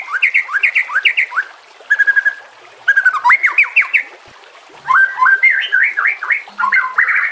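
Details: Shama (white-rumped) singing for training other birds, water trickling in the background; bouncy repeated looping whistles, a short dry rattle, short gaps, then more fluty slurred phrases.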